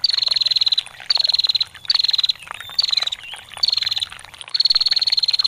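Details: Female bar-winged prinia in full ngetir for songbird tutoring: six quick high trills, each about half a second, delivered in an even rhythm over murmuring water.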